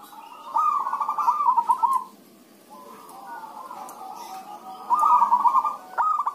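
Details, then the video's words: Zebra doves calling back and forth, used as a lure to get other doves to sing: two bouts of fast, bubbling, rhythmic cooing with a softer overlapping coo between them, several birds answering one another. "pancingan suara perkutut rame"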